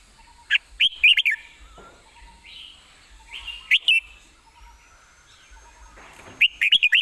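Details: Perched red-whiskered bulbul delivering quick, rollicking whistled phrases of several liquid notes, in short bursts with gaps between, alongside faint distant chirps and a thin high background tone.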